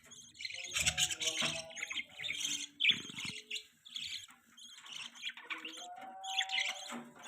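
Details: A baby budgie chatters in a steady stream of soft, scratchy chirps and warbled twitters, with occasional louder squeaky notes and some faint low knocking.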